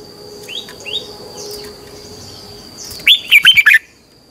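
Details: Red-whiskered bulbul song for training caged birds: soft rising chirps lead into one loud, quick phrase of four or five warbled whistles near the end, over a faint constant high tone.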